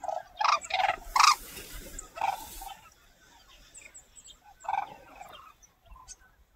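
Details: Red-crowned cranes in Cheorwon, Gangwon Province, Korea, with family and friends where food is available, trumpet loudly: a quick run of four or five bugling notes, then single calls a couple of seconds apart, fainter birds behind.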